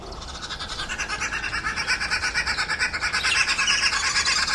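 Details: Red-billed wood hoopoe, Zulu name iNhlekabafazi ("laughing women"), a bird of small flocks of two to eight that is normally heard before seen. Rapid harsh cackling notes come about three a second and grow louder and denser toward the end.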